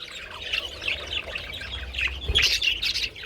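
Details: Budgies feeding on treats in the sun on 27 February, mixing short squawks and chirps in irregular bursts, louder toward the end, with a soft knock midway and a low hum.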